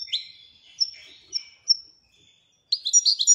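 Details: Royal European goldfinch singing: short high twittering phrases and thin drawn-out whistles separated by pauses, ending in a rapid burst of bright chirping notes.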